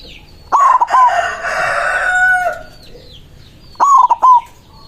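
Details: White zebra dove singing to call rivals: a pulsed cooing phrase, then a long harsh, loud sound lasting over a second, then another rolling coo phrase ending in a sustained note.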